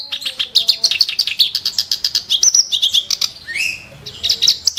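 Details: Ashy tailorbird singing sharp, rough phrases: dense bursts of high chattering notes, then a brief rising slurred whistle and a shorter return of the chatter near the end.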